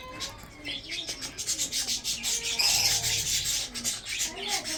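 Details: Budgerigars from a breeding group chirp while feeding, giving a steady rasping, scratchy chatter of rapid high notes with a few soft lower tones underneath.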